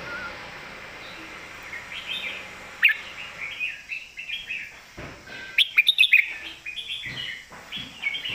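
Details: Red-whiskered bulbul master song, loud and clear: a run of warbling, liquid phrases building to a quick cluster of sharp chirps near the middle, then more rolling warbles.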